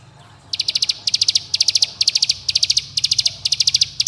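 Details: Bar-winged prinia song played to draw young birds into singing; the call summons companions and provokes rivals. After a short quiet start come tight clusters of bright, high, clicking notes, about two clusters per second.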